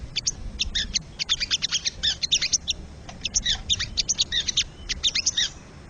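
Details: Wild crested jay, used as tutor song for caged songbirds: bursts of sharp, high chattering notes in quick runs, short pauses between groups, over a faint low background rumble.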